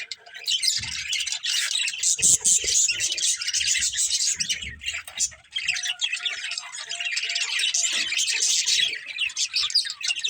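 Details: Group of pet budgerigars, a budgie family, chirping: dense continuous twittering and warbling chatter from several birds at once, steady throughout with brief louder bursts.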